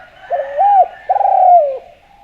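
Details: Javan spotted dove in active song, used to lure others: a single clean phrase of a rising, arching coo and then a long vibrating coo that drops in pitch, clear against a quiet background.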